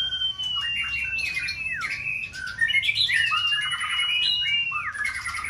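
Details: White-rumped shama, caged and in peak condition, in multi-style stimulating song; long falling whistles alternate with bursts of rapid chattering notes and rising slurs, delivered almost without pause.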